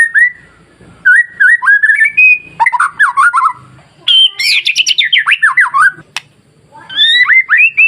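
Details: Masteran song of a white-rumped shama, meant to make fearful shamas sing: varied whistled phrases build into rapid, buzzy, high chattering trills, then mellow slurred whistles again.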